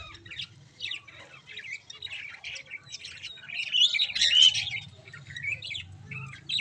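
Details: Budgerigar (Melopsittacus undulatus) chicks in an aviary give a busy stream of high, scratchy chirps and squawks, several voices overlapping.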